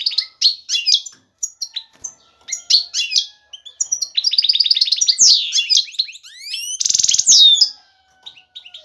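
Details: Male European goldfinch in excited song, calling a female to mate and build a nest: rapid liquid twitters, a fast buzzy rattling trill and sweeping rising and falling whistles, tumbling together without pause.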